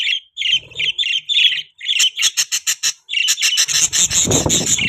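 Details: Breeding budgerigars give squawky chirps, then a run of sharp clicks, ending in dense chatter over scraping rustle.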